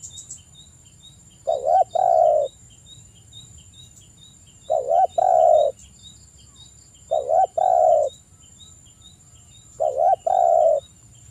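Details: Spotted dove luring a rival with cooing: paired low wavering coos repeated every two to three seconds, over a faint insect-like ticking and a steady high hum.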